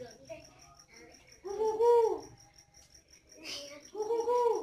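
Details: Spotted doves from a breeding farm in Ba Vì, Hanoi, Vietnam, valued for their coarse voice: loud, rough, harmonic-rich arched coos in two phrases about two seconds apart, with a steady pulsing high insect chirp throughout.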